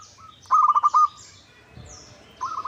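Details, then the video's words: Local zebra dove calling as a lure to draw answers: a loud burst of five quick ringing coo notes, a pause, then a softer stuttering phrase starting, with faint high chirping from other birds. "Pancingan PERKUTUT LOKAL Agar Bunyi 100% Ampuh! bikin lawan nyaut."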